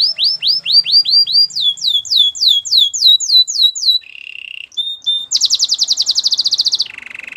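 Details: Canary song for training: a chain of arched whistled notes, a short buzzy trill, brief clear tones, then a rapid loud rattling roll and a lower buzzy trill.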